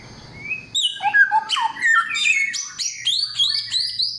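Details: Samyong pouring out a rich, varied song, loud and clear: a brief whistle, then a jumble of rising and falling notes, chirps and high sliding whistles in quick succession.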